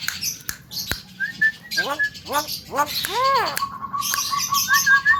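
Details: Young Javan myna with a melodious, fill-packed song: short whistles, a string of arched chirping notes rising in strength, then a long even trilled whistle with high squeaks over it.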